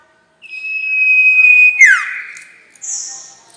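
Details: Sirtu (White-shouldered Triller) lure recording for trapping birds: one long steady high whistle drops into a buzzy downward sweep, followed by a brief higher hiss-like note. No other sounds.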